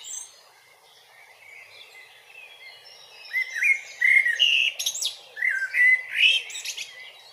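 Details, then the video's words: Eurasian blackbird singing in Grmoščica Forest Park, Zagreb, Croatia, filmed with a Panasonic Lumix DC-TZ90: after quiet high background twitter, rich mellow warbled phrases, fluty and varied, ending in squeaky high flourishes. "Amsel Gesang / Merle Noir Chant / Kos pjeva / Il Canto del Merlo"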